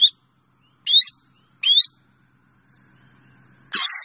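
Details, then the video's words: Flock call of a black drongo: clipped rising whistles with a metallic twang, two close together, then a low faint hum before a loud harsh, noisy squawk ends the sequence. "Tiếng Chèo Bẻo kêu gọi bầy"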